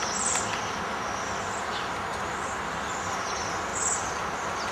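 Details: Bohemian waxwing flock arrived from the forest in winter, stripping berry trees; thin, high trilled whistles come at intervals above a steady broad hiss of background noise.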